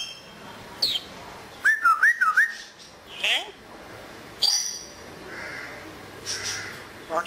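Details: Pet African grey parrot enjoying the weather, said to talk in Urdu and Pashto and to mimic whistles. Clear whistled notes sweep up and down in a quick wavy run near the middle, between short squawky bursts over a low background hiss.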